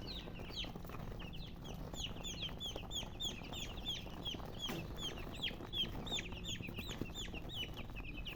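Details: A flock of chicks peeping busily, short high notes that drop in pitch, overlapping at close to three per second throughout, over steady low-frequency hum.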